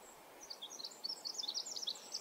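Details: A male Pacific wren in forest at Manning Park, July 2020, sings a fast, high tumble of tinkling notes and trills running together without pause, over soft forest hiss.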